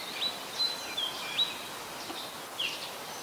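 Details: Oriental magpie-robin singing in Ubon Ratchathani, Thailand, on 3 February 2023, recorded with a Nikon P1000: short, thin whistled notes, some sliding, spaced irregularly over a steady hiss of background noise.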